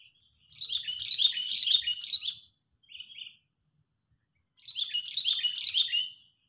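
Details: Lure call of an agitated sooty-headed bulbul for trapping: a long, dense burst of fast harsh chirps, a brief single chirp, a pause, then another long chattering burst.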